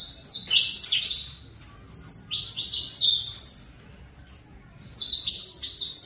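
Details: Saffron finch, a fibra line bird from a breeder, delivering high, bright whistled phrases of falling and flat notes, then a quiet pause of about a second before a fresh burst starts.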